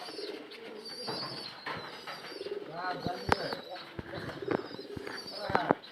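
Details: Native domestic pigeons cooing in low, throaty murmurs that pulse through the first seconds, with sharp clicks and knocks of movement, thin high chirps from small birds, and people talking in the background.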